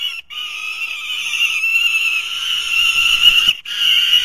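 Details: Three young falcons at their nest in 2023, competing with one another whenever prey is brought in; a loud, harsh, sustained wailing holds steady at a high pitch, broken by two short pauses, with no other clear sounds.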